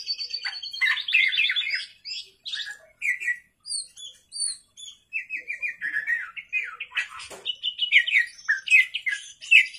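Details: Oriental magpie-robin (kacer) singing vigorously at night, used as a lure song: a long, varied run of sharp whistles, rapid chattering trills and downslurred notes, with short pauses and a sudden harsh scratchy burst midway.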